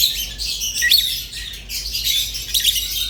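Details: Rosy-faced and Fischer's lovebirds singing: dense, high, scratchy chatter with quick squeaky notes and short whistles, running almost without pause for three seconds.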